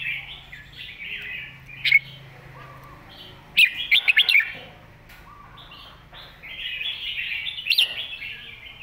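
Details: Red-whiskered bulbul master song for teaching young birds: loud clusters of quick whistled notes alternating with longer, softer warbled passages, giving a continuous chattering flow.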